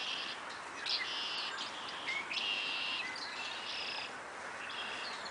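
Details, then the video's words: Birds chirping, with several overlapping bright chirps and short whistled notes repeated throughout, over a steady hiss of background noise. "Birds chirping"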